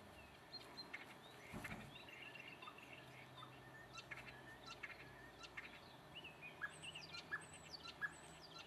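Common starling song: a busy, irregular medley of short whistles, clicks and high sweeping notes, over a steady low hum and background noise.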